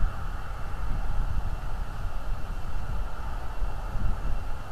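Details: Low engine-like hum and wind rumble at an eagle nest livestream early in the morning, with no animal sounds present.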